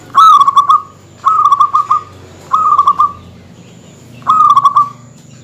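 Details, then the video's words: Local zebra dove (perkutut) in dense provoking song toward rival males: four short rolling phrases of rapid coos with pauses between, evenly pitched; faint low hum. "suara kutut yang bikin emosi lawan perkutut lokal gacor suara padat menggoda lawan"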